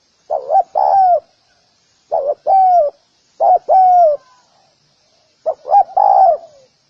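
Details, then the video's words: Spotted dove calling four times, each phrase a quick short coo followed by a longer, smoothly falling coo, spaced about one to two seconds apart with silence between. "Spotted_Dove_ki_Awaaz | Amazing call sound effect"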